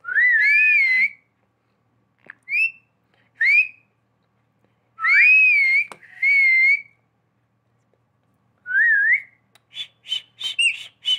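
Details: Human-like whistles from a pet talking parrot: long warbling whistles, short upward flicks and a twisting rising note, closing with a burst of quick pulsed calls.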